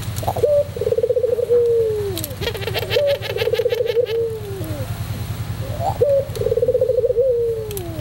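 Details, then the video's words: White puter pelung dove in song: three similar phrases about three seconds apart. Each has a short rising note, a rapid trilled roll and a long, descending coo. Chirping from another bird overlaps the second phrase, and a low background hum is present. "masteran puter pelung putih manggung"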